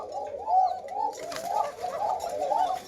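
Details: A male Koka pigeon, a thin-voiced breeding bird kept at a loft with two chicks, gives soft, rolling coos in a steady run, each swelling and fading about every half second, with faint rustling behind.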